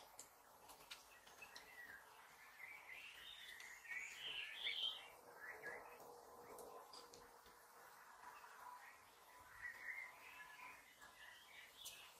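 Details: European goldfinches feeding, giving soft, tinkling twitters and chirps scattered irregularly over a faint hiss of background noise.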